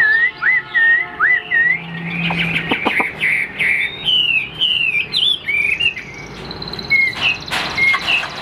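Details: Chinese hwamei in a cage, offered for sale, praised for a very good voice and a tail that stays fanned when silent. Repeated looping whistled notes at first, then a fast varied warbling run with sharp clicks, ending in high clear whistles.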